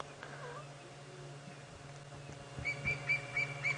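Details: A francolin flies out of the bush giving a short run of five sharp, squeaky alarm notes, about four per second, after a quiet stretch with low engine hum; lioness listens toward it, evening safari drive, September.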